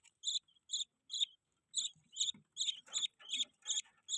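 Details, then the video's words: Budgie giving a steady series of sharp, high chirps, roughly two or three per second, some closely paired, with soft scratchy sounds in the middle. "Budgie chirping sound"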